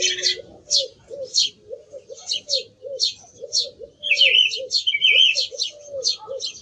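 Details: Song thrush singing clipped high notes and then a longer warbled phrase, while low, repeated hooting calls run continuously underneath.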